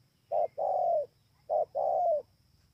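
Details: Spotted dove recorded at Bờ Y, Kon Tum, on 28 November 2017, giving two low, hoarse coo pairs, each a short note followed by a longer one that slides slightly downward at the end, over a quiet background.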